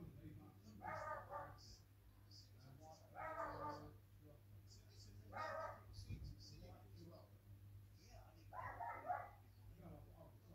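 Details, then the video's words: African grey parrot looking out a window while eating grapes, chatting in four short speech-like bursts spaced a few seconds apart, with a steady low hum behind in a small indoor room. "Looking out the window chatting and eating grapes"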